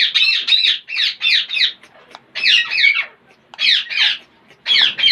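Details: Parrots making funny noises: loud, harsh, raspy squawks in dense groups of two to four, with brief pauses between groups.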